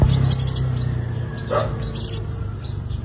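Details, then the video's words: Sunbird, locally called five-colour sunbird, giving a fighting song used as a lure to trap wild birds: two short bursts of rapid, very high chirps, with a steady low hum underneath. "Tiếng chim hút mật 5 màu dùng đi mồi đánh bổi - Tiếng chim hút mật 5 màu hót đấu"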